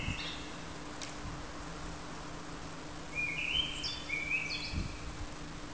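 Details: A common blackbird sings a single fluted phrase that rises then falls, closing with a thin high twitter, after a few seconds of quiet with distant clicks and a steady hum.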